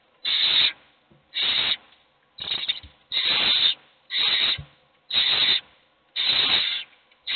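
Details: Owl nestlings, all hungry, call for food as a single one eats. Grating, sandpaper-like hisses repeat about once a second, seven even bursts with near silence between.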